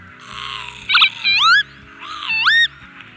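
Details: Northern lapwing of Poland gives two wheezy, rising-then-falling 'pee-wit' calls about a second apart, over a steady background music bed.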